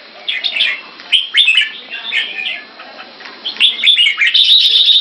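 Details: Red-whiskered bulbuls in Singapore, caged and competing during keke training. Looser, scratchy warbled phrases start quietly and build. The final second brings stronger, higher whistles over a soft background hiss.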